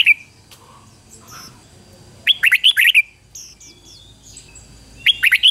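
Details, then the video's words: Lure red-whiskered bulbul singing to attract wild birds: a brief note, then a lively six-note whistled phrase and another beginning later, with scattered high chirps and thin whistles of other birds in between. "Chào mào mồi gọi bổi 20 phút Chào mào mồi hót gọi bổi đỉnh cao chuẩn nhất"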